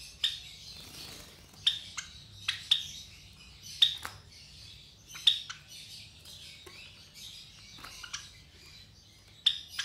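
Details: Java sparrow chicks around 23 days old, a brood of three from white parents kept at home; scattered sharp, hissy chirps every second or so, separated by quieter rustling.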